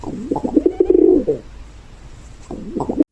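A dove gives soft, low, throaty coos in a short rolling phrase, then begins again.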